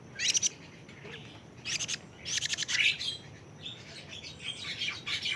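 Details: A young plaintive cuckoo, 41 days old, calls in harsh, rattling bursts of fast, high pulses, three clear bursts in the first three seconds. Softer raspy chatter follows.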